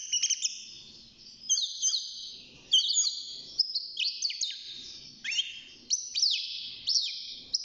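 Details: Six-month-old caged European goldfinch starting to sing: a steady, tinkling chatter of high notes, with repeated downward-swooping whistles and buzzy trills throughout, over faint background noise.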